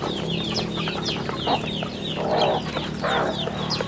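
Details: Many chicks on a rural farm peeping rapidly, thin downward-sliding chirps repeating several times a second, with louder hen-like clucks around the middle and a steady low hum.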